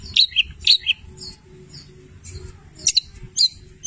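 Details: Long-tailed shrike of the Cendet Petir type singing a rich song filled with imitations of labet and canary: scattered sharp high chirps and short whistled notes in quick bursts, with pauses between, over a faint low hum.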